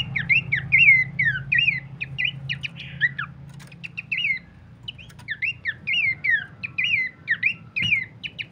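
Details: Bush babbler used as a master song for training cage birds: two bursts of fast, scratchy, slurred whistles and chirps separated by a quieter gap, with a low hum beneath.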